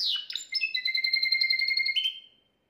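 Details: Faultless tutor song of a Timbrado canary, recorded at home the day before to school young canaries; a few harsh opening notes lead into a sustained rolling trill of two steady parallel tones that fades out near the end.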